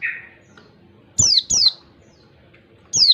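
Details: Wild oriental white-eye giving a 1-2-3 beat song used as a lure for white-eyes: a pair of high, thin, sharply falling whistled notes, a pause, then another falling note, over quiet background hiss.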